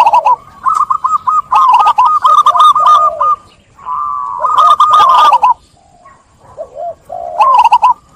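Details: A lively local zebra dove chorus, birds prompting one another to sing: long runs of fast, stuttering coos over a steady high tone, with low curved notes in between and a quieter gap.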